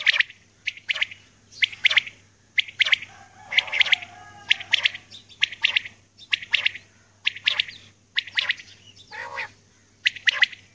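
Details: Common quail, a female, calling early in the morning: scratchy, clipped note groups repeated about once a second throughout, with a brief lower warbling note near the end and a constant faint hum.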